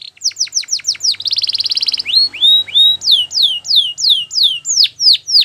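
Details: Belgian canary singing for training: fast falling whistled notes, a dense buzzy roll, two rising whistles, then a steady series of loud descending sweeps about three per second.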